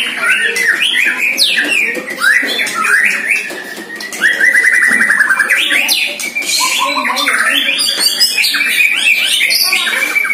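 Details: Caged white-rumped shama, one year old, training for the first time against a neighbour's rival bird: a dense torrent of whistles, rising sweeps and rapid rattling trills, with a second bird answering.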